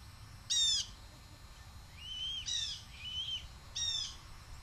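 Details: Juvenile male red-tailed hawk, fed off the nest in the past, vocalizing at its passing mother for a food delivery, 7.2.23. Three loud, raspy downslurred screams are separated by softer, drawn-out whining notes.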